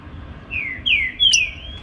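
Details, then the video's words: Green-winged saltator, the trinca-ferro, singing in the Baruc song style in the morning: three clear whistled notes, each sliding downward, the last longer and overlapped by a brief high upswept note, with a faint low hum behind. "TRINCA FERRO BARUC CANTANDO PELA MANHA"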